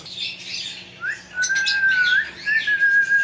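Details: Talking parrot indoors producing long, level whistled notes with a rising slur, mixed with harsher squawky noise, over a faint low hum.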